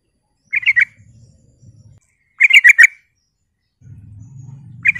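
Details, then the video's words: Sooty-headed bulbul lure song, meant to provoke other bulbuls into answering: two rapid bursts of four to six buzzy chattering notes, spaced about two seconds apart, with a low hum between them. "Nyaris semua trucuk NYAUT dan EMOSI dengar pancingan trucukan gacor ini"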